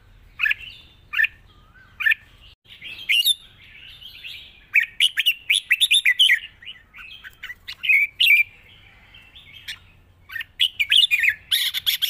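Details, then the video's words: Red-whiskered bulbul, soft-voiced and easy singing, giving a long song with 'rik' notes: scattered bright chirps turning into dense rolling warbles, then a burst of rapid clicking near the end. "ปากเบา+ร้องง่าย เพลงยาวมีริก #นกกรงหัวจุก"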